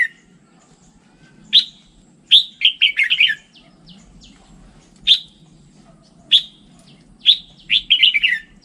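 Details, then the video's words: Red-whiskered bulbul singing: short bright whistled phrases, a single sharp note followed by quick warbling bursts, repeated several times with pauses between, over a low steady background hum. "Tiếng chim chào mào chuẩn"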